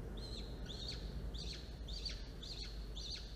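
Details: Falcon nest camera on 13 October 2022 at 1:54 p.m., two young chicks being fed after an adult delivers prey; thin high chirps repeated about every half second, six in a row, over steady background hiss.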